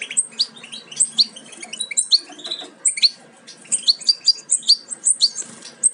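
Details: Goldfinch chicks nearly ready to jump from the nest, bred from a Major carrying aminet and an ancestral Parva; high, squeaky chirps tumble together in busy clusters with a brief lull midway before resuming.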